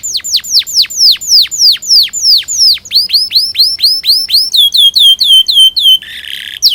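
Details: Canary song played to train young canaries: repeated long falling whistles, then shorter looping notes, a brief harsh buzz and a final sweep.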